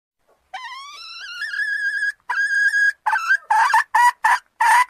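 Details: Red junglefowl lure call opens with a long wavering crow. A shorter crow follows, then a run of rough, hoarse clucks.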